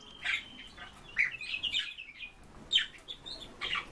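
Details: A pair of Eurasian bullfinches giving short, separate piping and chirping notes. There are about five bursts, spaced irregularly, each a soft whistle with some rough texture.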